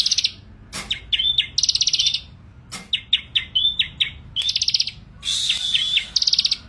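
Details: Bar-winged prinia (ciblek) in lively song, alternating quick high buzzy trills with sharp clicks and short rising-falling whistled phrases, repeated in rapid bursts with small gaps.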